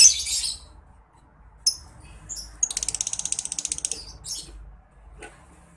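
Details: Lovebird in full ngekek chatter, recorded as a master sound for tutoring competition songbirds. Scattered sharp squeaks lead into a fast, evenly pulsed rattling trill lasting over a second, then a few more clipped high notes.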